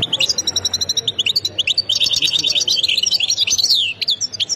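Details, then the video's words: European goldfinch singing, Khemis Miliana sector style from Ain Defla province, Algeria: a continuous run of high, liquid chattering notes and short trills with slight pauses, loud and close over a low hum. "مقنين سكتور خميس مليانة ولاية عين الدفلى"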